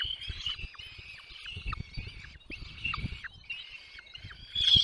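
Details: Chicks in the nest begging while parents arrive with food: steady thin wavering cheeps with repeated short down-slurred notes, faint low rustling beneath, and a sharp loud squeal at the end.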